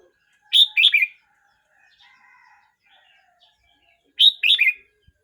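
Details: Red-whiskered bulbul aged 12 months 29 days repeats the same loud three-note warbled phrase twice, about three and a half seconds apart, with faint soft twittering between.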